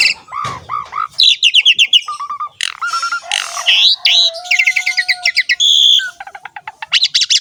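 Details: Varied song of an Asian pied starling, described as lively with abundant fill-ins: low looping whistles, scratchy high chatter, a long thin flat whistle, rattles, and a closing rapid series of sharp chirps.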